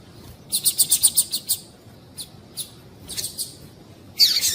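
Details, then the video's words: Female Double-collared Seedeater calls, used to stimulate a male to sing: a quick run of about eight high, thin chips, then a few scattered single notes and a final sharp burst. "Piado de Fêmea de Coleiro para Esquentar Coleiro frio"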